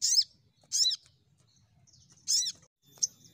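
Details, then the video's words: ['Crimson sunbird lure sound to prompt quick singing: three rasping high notes with arched undertones, then a single thin chip.'] "Pancingan Sogon Bahan Cepat Nembak"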